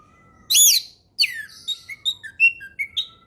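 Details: Orange-headed thrush singing a relaxed ngeplong-style song, played as a tutor for young birds learning it: a loud sweeping high note, then a pause and a run of short whistled notes falling and rising, on a quiet background.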